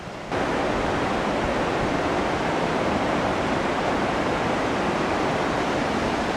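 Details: Loud, continuous rushing water like a waterfall or stream, starting abruptly after a short quieter moment.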